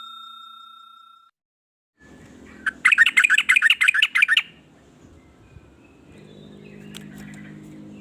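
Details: Yellow-vented bulbul with a varied song meant to stir other bulbuls into singing: one short burst of bubbly, rapid chattering notes in mid-clip. It follows a steady electronic tone and a pause, with low background rumble afterwards.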